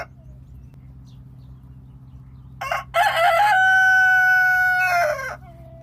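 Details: After a quiet start, a domestic rooster lets out a loud complete crow, with choppy opening bursts, a drawn-out steady tone, and a rough dropping finish, against a faint low hum.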